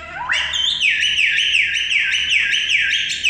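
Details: Common myna producing a loud whistled sound that rises, then wavers up and down about three times a second in a steady, siren-like pattern.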